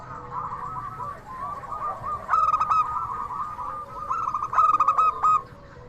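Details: Local zebra dove singing its crystal song as a lure so that other doves respond: loud phrases of quick staccato coos with longer closing notes, layered over steady background cooing from many doves.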